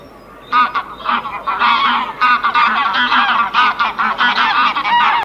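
Geese honking loudly and almost without pause, a harsh, nasal chorus of overlapping calls after a half-second of quiet.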